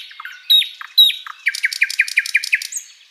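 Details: Short flycatcher tutor phrase: two bright downslurred whistles with low squeaky notes, then a quick series of eight sharp chipping notes and a final high thin whistle.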